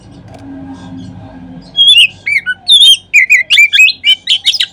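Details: Oriental magpie-robin song used as a lure to stimulate other magpie-robins to sing. After a quiet low hum, loud whistled notes burst in, sweeping and warbling rapidly in varied short phrases with brief gaps.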